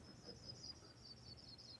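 Sprague's Pipit song: a faint, high series of thin jingling notes that gradually descend in pitch, over a low hum from the room.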